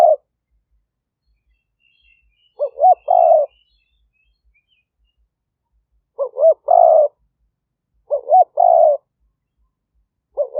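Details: Spotted dove used as a fierce-strain decoy to lure wild doves for trapping, recorded live in 2021 in Roi Et, Thailand, on a smartphone; three full phrases of two quick looping notes then a longer burry coo, separated by long silences.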